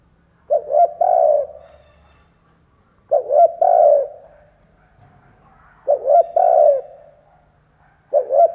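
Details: Spotted dove, a decoy bird cooing to lure wild doves: three-part phrases, two short rising coos then a longer drawn-out coo, repeated about every two and a half seconds, four phrases.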